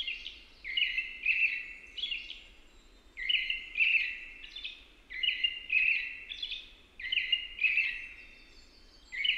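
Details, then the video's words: American robin singing steadily: repeated clusters of two or three warbled whistled phrases, each cluster roughly every one and a half seconds, against soft background noise. "American Robin sounds | American Robin singing"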